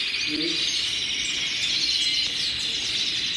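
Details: Colorful canaries by the hundreds singing at once, a thick continuous stream of shrill trills and twitters, with one short low call early on.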